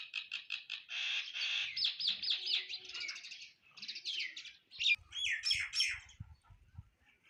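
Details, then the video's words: Several sparrows chirp while eating food, in a busy, overlapping stream of short, harsh notes with hardly a pause; faint low knocks near the end. "eating Sparrow Chirping Sound | Sparrow Birds Eating Food Chirping"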